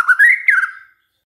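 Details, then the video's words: White-rumped shama lure song meant to make other shamas sing, heard as two short upward-sliding whistles and a longer slurred whistle that fades away. "DICOBA PANCINGAN MURAI INI, pasti murai tak tahan diam"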